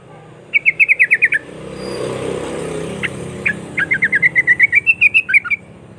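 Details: Sooty-headed bulbul in rolling rapid song, a lure to get other bulbuls singing: a fast chattering run of notes, a gap filled by passing traffic, then a longer rising-and-falling run of about fifteen quick whistled notes.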